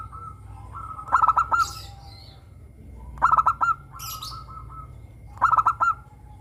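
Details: Zebra dove of local stock, a vigorous singer with a crystal-toned voice, played as a lure to prompt caged doves to sing. Three rhythmic phrases of rapid, bubbling coo notes, spaced about two seconds apart.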